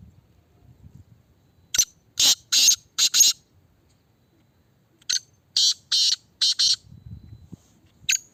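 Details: Kala Teetar, a Black francolin in a red cage being tested, utters two full harsh phrases, each a click followed by rasping notes, then the opening click of a third.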